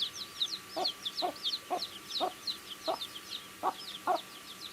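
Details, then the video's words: Baby chickens eating, peeping in a busy high chorus of short down-slurred chirps, over a steady series of dull taps roughly every half second from pecking at food. "Baby Chicken Eating Food | Cute Baby Chicks Chirping Sounds"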